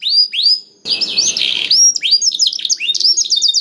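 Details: Canary singing to draw silent canaries into song: rising swept whistles near the start, then a brief buzzy harsh rattle, followed by rapid trills and quick upward-sweeping notes.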